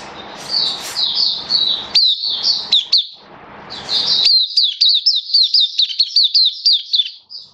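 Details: Kitaro-type Oriental white-eye (Mata Puteh) singing in captivity on 27 October 2022: after a few seconds of broad background noise, a clean series of high, quick, evenly spaced chirps with a thin final whistle.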